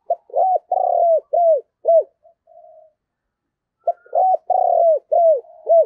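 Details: Spotted dove used as a decoy, cooing to draw in wild doves; a run of short rounded coos, a soft pause, then another series of clear mid-pitched coos.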